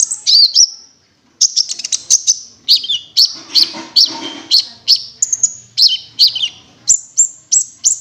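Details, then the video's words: Cinereous tit giving the wingko lure call for attracting birds: a steady string of sharp, slightly descending high chirps roughly every half second, ending in thin whistled notes. "pancing bunyi gelatik batu wingko"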